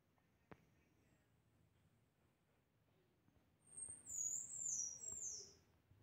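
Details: Pectoral sparrow song arriving after a quiet start: a thin, very high, wavering whistle that glides and drops slightly, with a faint lower note beneath and steady low background hiss.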